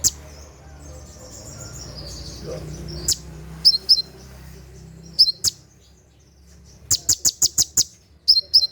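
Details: Konin, the olive-backed sunbird, giving its night-time 'tembakan' song for training caged birds: thin high twitters, then clusters of piercing chirps and a quick run of five rapid ticks near the end, over a soft low hum.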